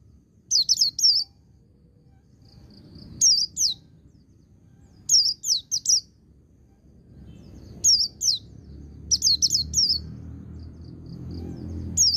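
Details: White-eye ngecir sambung ngalas song, used to rouse untrained birds. Repeated bursts of three to four bright, high, descending chirps every one to two seconds, with faint high notes between and a rising low hum toward the end.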